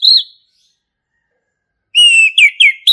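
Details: Male orange-headed thrush from the forest, ngeplong song: a short high whistle, a pause, then a sustained clear whistle followed by two quick downslurred notes and a rising whistle.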